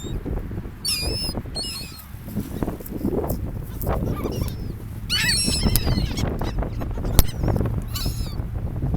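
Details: Seagulls at a sandy beach on a gulf, among people: several bursts of high, wavering squealing cries in quick clusters, separated by pauses, over constant low rumble of waves and wind.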